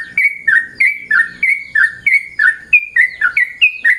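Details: Morning calls of a yellow-vented bulbul, a steady run of bright, slurred notes that dip and level off, coming roughly every third of a second, with a soft low murmur underneath.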